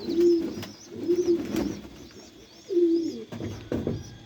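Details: Pet pigeons cooing indoors: three low, throaty, slightly wavering coos about a second apart, followed by soft thumps.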